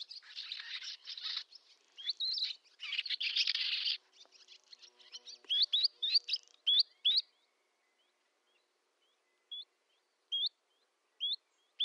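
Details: Barn swallow in a Novgorod oblast village, Russia, summer, 8 August 2013: harsh twittering bursts, then a run of clear upslurred chirps, later single chirps spaced about one second apart.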